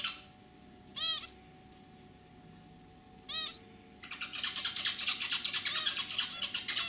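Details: Two widely spaced nasal beeps from caged zebra finches, then a male bursts into steady scratchy, buzzing chatter that fills the last three seconds.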